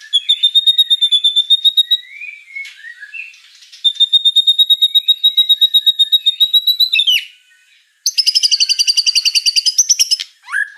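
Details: Gacor singing by a white-rumped shama: long, very rapid, evenly pulsed high trills lasting several seconds each, separated by brief softer chatter, ending in a harsher buzzy trill and falling notes.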